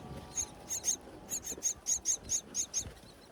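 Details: Myna chicks in a high palm-tree nest, calling hungrily as the mother feeds them in breeding season. Insistent, thin, very high squeaks repeat in quick succession, a dozen or so in three seconds.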